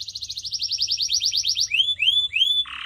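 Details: Canary song used to train pet birds: a quick run of repeated sweeping notes, then three longer rising whistles and a low buzzy trill at the end.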